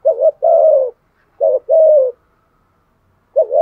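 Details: Fighting coo of a spotted dove, 'thổ' voice style: two deep phrases pairing a short wobbly note with a long level hoot, and a third phrase beginning just as the recording ends.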